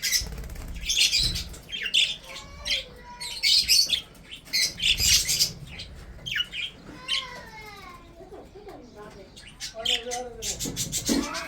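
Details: Breeding budgerigars eating and chirping: raspy, high chatter bursts mixed with clearer warbled notes that slide up and down, continuous flock twittering throughout.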